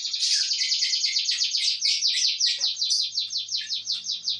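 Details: Song of an F2 canary: a continuous, rapid, high rolling trill of quick repeated notes, about a dozen pulses per second, steady throughout with slight shifts in pitch.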